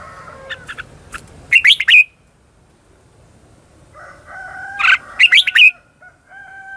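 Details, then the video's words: Red-whiskered bulbul fighting song in the 'ché chéc' style, used as a lure to call in and train birds: two fast phrases of about five bright, warbled notes, roughly three seconds apart, over faint steady whistled tones. "Cách luyện chào mào mồi - Gọi Bổi Ché Chéc Căng Đét"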